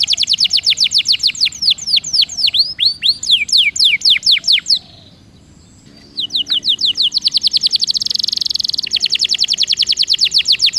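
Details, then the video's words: Canary singing a lure song to prompt reluctant canaries to roll: long series of rapid, falling whistled notes, a roughly one-second pause, then more quick sweeps that blend into a dense rolling trill. "PANCINGAN KENARI MALAS BUNYI DIJAMIN NGEROLL!!!"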